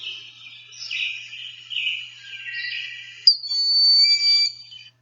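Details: A Broad-winged Hawk gives its tee-tsee call, a thin, very high whistle held for over a second, after several fainter, wavering high notes.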